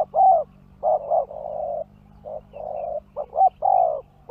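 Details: Spotted dove calling to lure wild birds, mixing quick double coos with long sustained ones in an uneven sequence, accompanied by a low constant hum.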